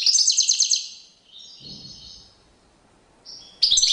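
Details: European goldfinch courtship display song: a loud run of rapid, high chirps, then softer drawn-out buzzy notes, a short whistled tone, and another sudden burst of twittering at the end.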